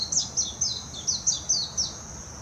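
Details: Hashimoto, Wakayama Prefecture, Japan, 26 June 2021: a warbling white-eye gives a tumbling series of about seven bright, high, falling chirped phrases at an even pace, over a steady shrill background hum. Recorded on a Nikon Coolpix P900.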